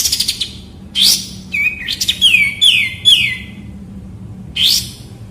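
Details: Song of a white-rumped shama (murai batu) for tutoring young birds, kapas tembak sound: a quick pulsed trill, then a sharp rising note and a run of clear downslurred whistles, ending with a rising sweep.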